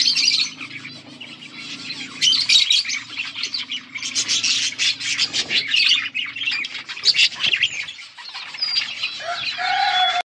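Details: Budgies chirping and singing, August 19, 2024: a flock of parakeets in lively overlapping chatter, squawky notes and short whistles, a low hum in the background, ending with a clear whistled note.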